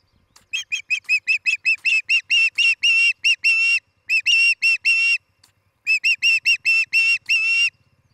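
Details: Osprey at a nest near Charlo, Montana, where a pair is building a new nest, on the morning of 11 July 2018: loud, clear whistled chirps repeated rapidly in three bursts broken by short pauses, over a faint low hum.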